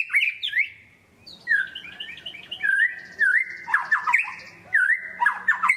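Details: Lure recording of a vigorous white-rumped shama: rich whistled phrases with sliding notes and harsher chattering, squawky elements, delivered in quick, varied strings with brief gaps between them.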